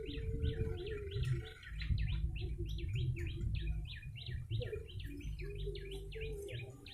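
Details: Fast, repetitive chirping of a yellow-bellied prinia, sounded to lure birds. Crisp notes tumble together without pause, above a faint tonal hum and low rumbling noise.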